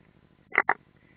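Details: European roller, an unringed bird, at the nest in the Ādaži training ground, Latvia, on 30 June 2016: two short grating rasps close together over a faint low background hum.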